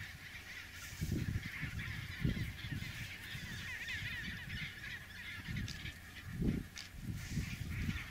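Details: Chinstrap penguins moving along a packed-snow highway between sea and nesting colony; rough, braying calls arrive in separate bursts around one, two and six seconds over a constant background hiss.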